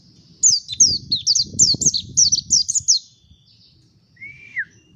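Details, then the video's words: Mountain white-eye singing a fast, high twittering phrase of about ten quick sweeping notes, then one lower down-slurred whistle, over a faint low rumble. "Ngalas Pleci Montanus // White eye bird Singing"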